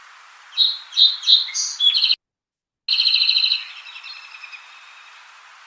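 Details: Song Sparrow, one individual named Jim, one of two birds whose songs differ in voice: three or four bright, clipped introductory notes in quick succession, then a fast, buzzy trill that fades away.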